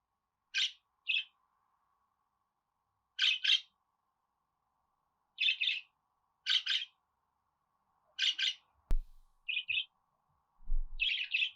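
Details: Budgerigar giving short, buzzy chirps, mostly in close pairs, spaced one to three seconds apart over a faint steady hum, with a sharp click near the end.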